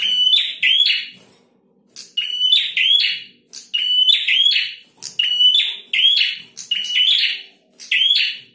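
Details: Male prinia singing actively (gacor): loud, harsh buzzy notes, each opening with a sharp ticking click and a brief whistled tone, delivered in quick pairs and triplets about every second, with one short pause near the start.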